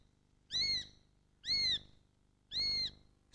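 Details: In late summer, young Eurasian sparrowhawks give drawn-out, high, thin squeals, each about a third of a second long, repeated roughly once a second.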